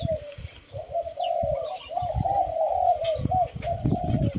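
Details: Several captive Spotted Doves produce soft, rounded coos that run into one another in a steady, wavering stream, with intermittent low thudding handling noises in the background.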